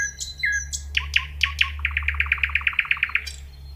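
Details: Common nightingale in full song: a few varied whistles and sharp notes, then a fast rhythmic run of about fifteen loud repeated rattling notes, over a low steady hum.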